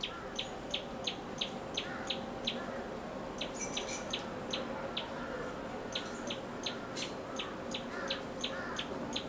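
A Common Tailorbird gives sharp, high chirps repeated about twice a second in a steady run, over a low background hum.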